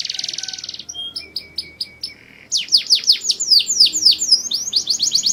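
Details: Mushti canary song meant to prepare females for mating: a buzzy rolled trill, a short run of clipped staccato notes, then a lively series of deep V-shaped whistled sweeps.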